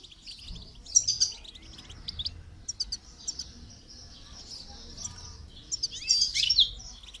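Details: Goldfinch song used for training, made of bright, high twittering phrases with quick trills, bursts of louder tinkling notes near the start and end, and a quiet low hum.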